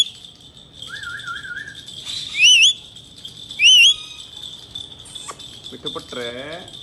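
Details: Male Indian ringneck parakeet giving a low trilled warble followed by two matching loud wavy whistles about a second apart, ending with quieter harmonic chatter and a steady high tone.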